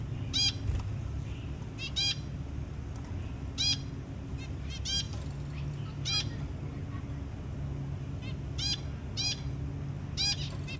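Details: Zebra finch giving short, nasal, trumpet-like calls at irregular intervals over a low background hum, as the mother carefully helps a hatching chick out of its eggshell.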